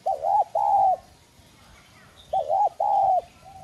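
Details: Spotted dove in the 'son' voice, used as a lure bird to make newly caught wild doves coo; two loud phrases, each a bent short note then a longer level coo, spaced about two seconds apart.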